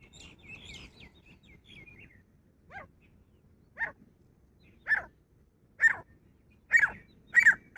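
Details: A grey francolin, said to be a female, gives loud, harsh notes about once a second, building in strength and ending in doubled notes, after a soft twittering of small birds.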